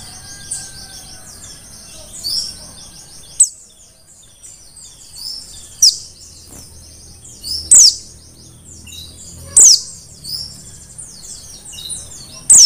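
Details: Mountain white-eye, a wild-caught Merapi bird, twittering softly in a high, fast chatter, broken by loud, sharp downward-sliding notes that come every two seconds or so, about five times.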